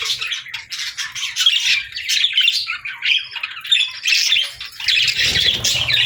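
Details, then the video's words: Budgies singing in a group, with steady rapid warbling and harsh squawky chirps overlapping continuously, some louder rasping notes near the end over a low rumble. "Budgies Singing 🎶 | Birds Chirping Sounds💕🦜"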